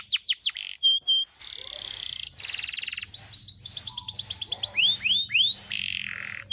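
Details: Canary song used as a tutor recording for training young canaries: fast tours of descending whistled sweeps, steady buzzy trills and a run of rising upswept notes, changing phrase every second or so.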